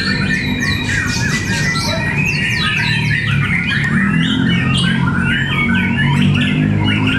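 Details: Fighter-class White-rumped shama competing at Cibinong: energetic song of fast repeated descending slurs and varied whistled phrases, many notes in quick succession, over a steady low hum and murmuring crowd.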